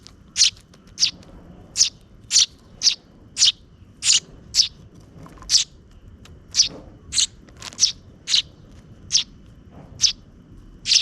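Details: Sparrow chicks, two of them, fed by their parent as dusk approaches, keep up a steady run of about nineteen piercing high chirps, each brief and evenly spaced, with little else audible.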